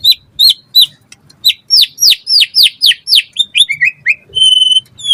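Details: White-rumped shama, a caged bird used to tutor other songbirds, delivering rapid high downslurred whistles in a quick series, then short lower trills and a steady pure whistled note at the end.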